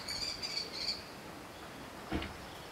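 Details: Young common kestrels at a cemetery tree, one sitting while another calls for food: a quick run of high, thin, slightly harsh notes repeated about five times in the first second, then quiet with a single low thump.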